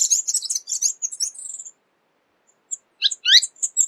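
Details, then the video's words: Tanager giving quick bursts of high, thin chirps and twitters in rapid runs, then a short pause and a few sharper, rising notes. "SONIDO DE LAS TANGARAS"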